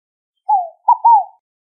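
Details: A single scaled dove phrase: a smooth descending coo, a short pause, then a brief note joined to a longer rising-and-falling one, clean and isolated.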